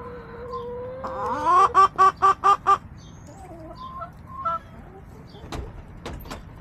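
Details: Backyard hens filmed on April 27, 2024: a rising drawn-out note breaks into five loud, evenly spaced harmonic squawks, followed by softer scattered clucks and a couple of clicks.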